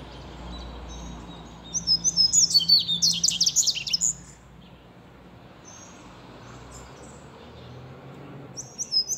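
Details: Seedeater in song: a dense two-and-a-half-second run of very high, fast trilled and buzzy notes, followed by quiet, then a few short high chirps near the end.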